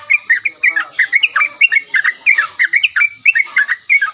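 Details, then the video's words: A lively yellow-vented bulbul replies at once with a rapid, uneven string of warbled chirps, notes slurring up and down, over steady hiss. "OCEHAN BURUNG TRUCUKAN GACOR LANGSUNG NYAUT"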